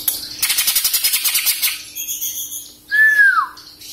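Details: Greater green leafbird, a young captive bird in Samarinda that has shed juvenile plumage and awaits moult, gives a rapid pulsing trill, faint high notes, then a loud clear whistle sliding downward.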